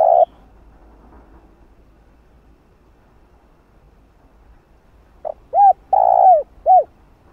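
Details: Spotted dove call for training a decoy bird; after a long quiet stretch comes a brief note, then short arched coos around one long coo.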